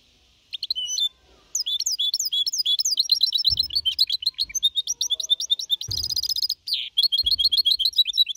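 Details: Four-and-a-half-month-old goldfinch mixto in clean Malaga-copy song: a nearly continuous stream of quick chirps and slurred notes, broken twice by harsh buzzy rattles, with faint low knocks underneath.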